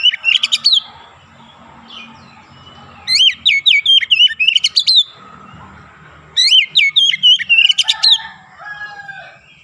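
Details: Three separate bursts of Oriental magpie-robin song described as ngerol and nembak: fast, tightly packed whistles rising and dipping, topped with shrill strokes, separated by quiet gaps with faint low hum.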